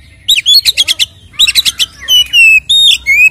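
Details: Kacer, or Oriental magpie-robin, in loud 'isian ngeplong tarung' fighting song to make other birds agitated: two rapid trills of harsh staccato notes, then long clear whistles, some falling, some rising.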